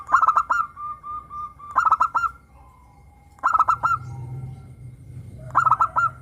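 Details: Zebra dove of the local type, crystal-voiced, used as a lure to prompt caged doves to sing; clipped bright cooing notes in groups of four to five, each phrase ending in a drawn-out tone, repeated every couple of seconds over a low hum.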